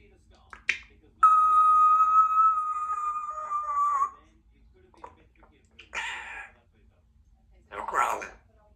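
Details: Pet female Congo African grey parrot, two years old, talking at home while her owner grabs lunch: a long steady whistled tone of about three seconds, then short spoken, squawky bursts indoors.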